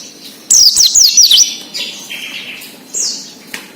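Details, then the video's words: Oriental white-eye giving a 'ngalas' wild-style song as a lure for raw captive birds: one second of quick, high zigzagging whistles, then softer descending chirps and a faint click. "PLECI NGALAS UNTUK PANCINGAN BUNYI PLECI BAHAN / OMBYOKAN"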